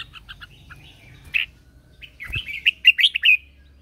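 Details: Red-whiskered bulbul, a captive lure bird, singing in the morning to train other birds and call wild ones: a few short paired chirps, then a rapid run of warbled, slurred whistled notes with a low thump midway.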